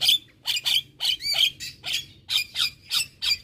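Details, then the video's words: Nonstop chattering from a champion Javan myna. Scratchy squawking notes come in pairs and triplets, about one and a half per second. Each note carries a bright whistled edge. "Masteran Juara Burung Jalak Kebo Gacor Tak Henti Henti Ngoceh Seharian"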